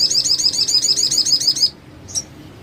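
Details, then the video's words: Sogon song for training other sogons: a fast, even, high trill of about a dozen rolling notes lasting over one and a half seconds, stopping abruptly, then one short high chirp. "Masteran Sogon Gacor,sogon lain pasti ikut bunyi"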